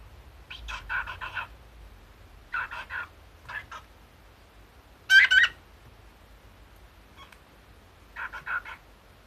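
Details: Older companion cockatiel hatched in 2011 chatters in Kumamoto dialect, echoing its late keeper's manner of speaking while misbehaving. Several bursts of clipped, murmured speech-like syllables, with one loud ringing harmonic squawk in the middle and quiet gaps between.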